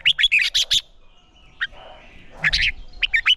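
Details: Red-whiskered bulbul in song-competition training, giving a rapid string of bright chirped notes, then a long quiet pause broken by one note, before a second quick chattering phrase.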